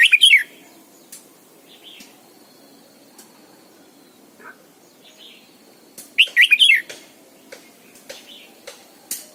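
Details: Red-whiskered bulbul lure bird giving its morning song in the wild-style double-note manner for training other birds. Loud bursts of quick warbled whistles at the start and again near six seconds, separated by quiet single notes and clicks over a steady hum.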